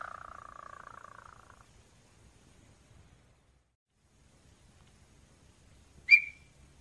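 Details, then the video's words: Small-billed tinamou (Crypturellus parvirostris) in Brazil singing a fast, fluttering whistled phrase that slides slightly downward and fades within two seconds, then near silence and one sharp click. "INHAMBU-CHORORÓ TAMBÉM CONHECIDA COM LAMBÚ OU LAMBU-PÉ-ROXO OU PERDIZ CANTANDO MUITO LINDO CANTO"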